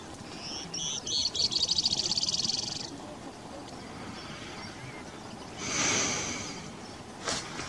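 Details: Many-striped canastero at Montepotrero, Huánuco, October 2018: a fast, high, dry trill of rapidly repeated notes lasting about two seconds, followed later by a short, harsh burst, over low rumbling outdoor background noise.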